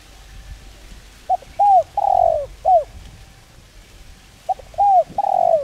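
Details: Spotted dove of rural rice-field country giving its cooing call, used as a lure to train birds to call: low mellow coos in groups of three or four, a longer grating note mid-phrase, repeated twice over quiet background.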